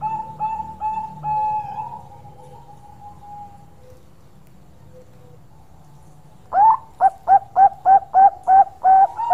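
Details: Bangkok-type zebra dove giving its long, lively song: a sustained steady coo with soft breaks, a quiet pause, then a quick run of about nine short, evenly spaced, slightly rising notes, with faint low background hum.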